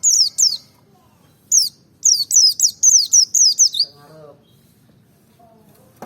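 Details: White-eye of the Merapi forest type, recorded to provoke birds into singing: a pair of quick downslurred chirps, then a run of seven rapid, piercing high notes falling in pitch, followed by a faint low murmur.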